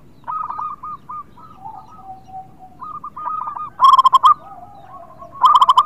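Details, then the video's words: Singing zebra dove, local type, heard as a lure for reluctant singers: soft rolling coo phrases and drawn-out low notes build to two loud, bright bursts of rapid staccato coos. "Perkutut Lokal gacor Suara Indah"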